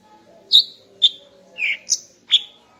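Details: Morning song of a female greater green leafbird, meant to arouse the male: five short, bright chirped notes spaced about half a second apart, one lower and buzzier, over a faint background hum.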